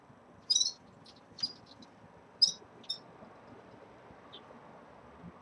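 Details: Red-fronted serins in a cage at the beginning of moult utter a few short, sharp high chirps and buzzy notes, quieter against a steady background hiss.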